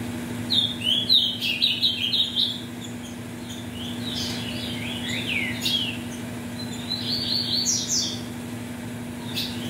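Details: A captive ultramarine grosbeak, offspring of mutation parents, sings three rich, warbled phrases that slur downward, a few seconds apart, over a steady low electrical hum.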